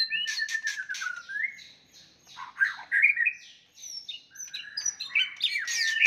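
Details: White-rumped shama fighting song used to rile opponents; sharp harsh bursts open, then falling and rising whistles, a pause, and a final flurry of bright twisting notes.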